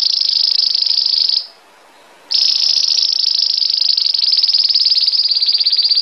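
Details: Belgian canary singing a lot in the 'campainha' (bell) style: a loud, continuous, high rolling trill with fast pulsed notes, a short pause of about a second, then sustained trilling again.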